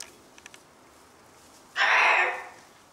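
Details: Cockatoos in family life: after faint taps, one very loud, harsh, rasping screech bursts out and holds for nearly a second before trailing off.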